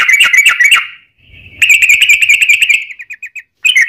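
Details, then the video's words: Sooty-headed bulbul, a lure recording meant to make other bulbuls answer: rapid chattering run of buzzy notes, a short pause, then another fast burst ending in a few clipped descending notes. "SUARA trucukan gacor tarung ROPEL PANJANG pancingan trucukan agar bunyi JADIKAN trucuk gacor NYAUT"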